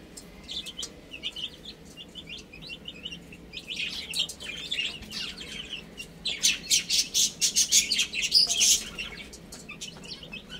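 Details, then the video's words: Baby chickens eat and play; a few sparse high peeps open, then chirping builds into a dense run of rapid, sharp notes about four per second near the end. "Adorable Little Chicks Chirping Sounds"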